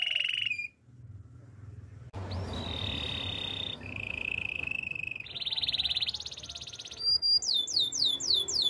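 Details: Belgian canary singing for training: a short high trill, a quiet gap with low hum, then long rolling trills stepping upward in pitch, ending in quick repeated downward-sweeping whistles.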